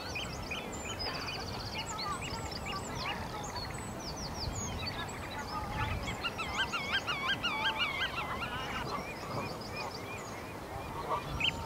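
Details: Bluethroat, subspecies cyanecula, singing in the Uitkerkse Polder, Belgium, in April 2017: a fast, varied stream of twittering, looping and whistled notes with buzzy segments, set against steady low background noise.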